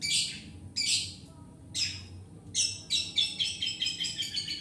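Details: Long-tailed shrike song used to lure and train birds: harsh, scratchy bursts spaced about a second apart, then a fast run of rasping notes, over a low background hum.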